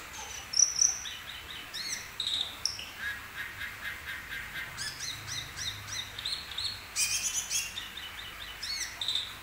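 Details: Asian glossy starling (cucak keling), a glossy black-green bird with red eyes, singing a varied run of short whistles, chirps and buzzy notes, mostly high-pitched, with a faint low background rumble.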